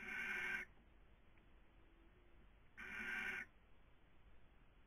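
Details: Barn owl in a nest box, Cabañeros National Park, Spain, breeding season 2020, recorded by webcam; two rough, noisy hisses lasting under a second each, separated by a two-second quiet gap.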